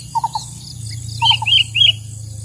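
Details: Wild sooty-headed bulbul, recorded as a lure for trapping: a run of three soft chip notes, then another triplet followed by loud, sharp, bright chirps in quick succession, over constant low hum.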